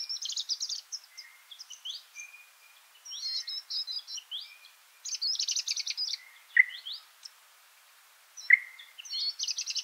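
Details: Feeding party of Varied Sittellas in South Australian bushland near Mannum, chattering in bursts of fast, high, buzzy chips separated by short pauses, while a nearby Singing Honeyeater adds flat single notes and a couple of sharp downslurred calls.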